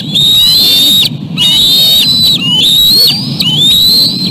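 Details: Bald eaglets swarm the male delivering a tiny fish at the West End nest; long piercing whistled squeals, some rising and some flat, in bursts about a second long with short gaps, over low rumbling background noise.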